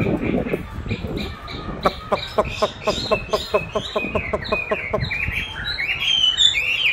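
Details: Chinese hwamei trained by hearing its own song played back: a rapid series of evenly spaced sharp clicking notes, turning into bright looping whistles near the end, with some low background noise.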